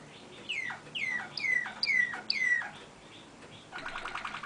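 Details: A small songbird described as a "malinois" bird, numbered 151-16, gives five clear, descending whistled notes about half a second apart, then a brief buzzy trill.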